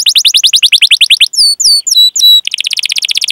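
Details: Canary song used as a training lure: a quick series of falling notes, four long slurred whistles sliding downward, then a fast, even rattling trill of short notes.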